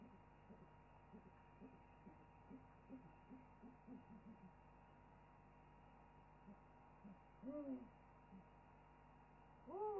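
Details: In an owl chorus on an African webcam, an owl gives a string of soft, low hoots, then two louder, arched calls that rise and fall over a faint hum. Afterwards the owl preens and settles down.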